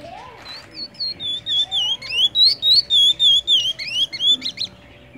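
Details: A chestnut-bellied seed finch of the "pardinho" song type sings a rapid run of clear, high whistled notes, sliding up and down, about fourteen in five seconds, over a faint steady hum.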